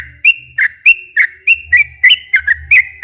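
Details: Sooty-headed bulbul in long rapid gacor ropel song, used as a lure to make untrained captive bulbuls sing; short bright whistled notes with sharp dips, about three per second, over a low steady hum.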